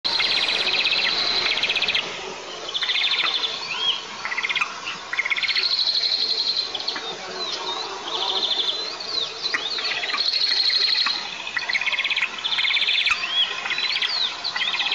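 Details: White-tailed eagle at a nest in a 20 m pine in south-east Tatarstan, 9 July 2024, as a piece of ground squirrel is offered to the young: thin, high, chittering notes in quick, uneven runs, almost without pause.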